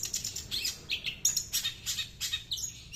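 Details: Long-tailed shrike singing and mimicking small birds: rapid, high, thin chirps and short trills, clustered in bursts with brief gaps, bright and twittery throughout, against a quiet low background hum.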